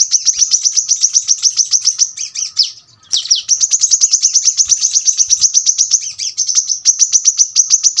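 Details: Brown-throated sunbird singing a dense, very sharp rapid-fire song meant for tutoring birds: an almost unbroken run of quick, shrill repeated notes. Only a brief pause and a few downslurred whistles interrupt it near the middle.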